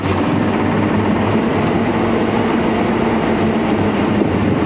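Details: Heavy, unbroken motor roar with low throbbing hum during a morning game drive at Djuma Game Reserve; nothing from wildlife can be picked out.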